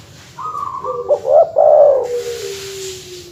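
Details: Dove calling to provoke rival birds: a soft opening note, then stuttered coos swelling into a loud rolling, warbled phrase that trails off into a long, low, fading tone.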